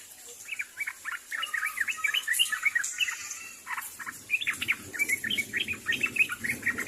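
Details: Sooty-headed bulbuls call to each other in two bursts of fast, bright chattering chirps separated by a short gap, with a soft murmur of background noise underneath.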